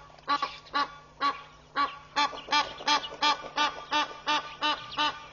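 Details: A displaying Egyptian goose couple at a pond in Mashatu Game Reserve, Botswana, July 2013, calling loudly: a run of hoarse, even honks that starts sparse, then quickens to nearly three per second.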